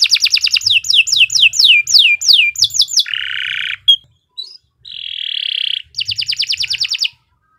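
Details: Lively canary song used as a tutor recording for young birds: a run of repeated downward-sweeping whistles, then a low buzzy trill, brief pauses, a harsh churring roll and a final rapid trill.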